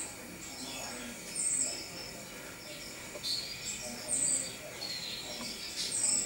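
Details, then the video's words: A common chaffinch (Fringilla coelebs) gives three or four thin, very high calls about a second apart, over a steady background hiss with faint insect-like chirring. "Pinson des arbres - Common Chaffinch"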